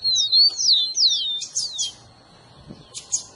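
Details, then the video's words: Song of the rufous-collared sparrow to excite a caged bird: a fast string of sweet downward-slurred whistles at the start, a few buzzy notes, then near silence with a last burst. "seu tico tico vai ficar doido com esse áudio"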